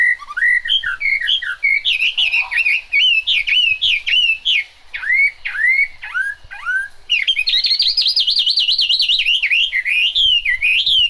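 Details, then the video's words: Hwamei song recorded in rain, made of loud clear whistles that swoop downward in quick sequence, then a long rapid warbling trill that wavers up and down for several seconds, bright and continuous. "Họa mi hót trong mưa"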